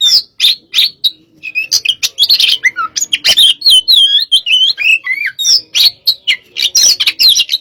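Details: Indonesian cage-kept white-rumped shama, hot type, singing loud sharp notes and then fluid warbling whistles that rise and fall, followed by more staccato chips.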